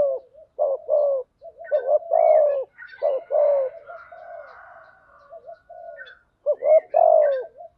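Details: Spotted doves, both male and female, calling for training and luring birds; loud mellow coos around 500–700 in pulsed two- and three-part phrases, with softer coos and faint higher chatter between bursts, on a silent background.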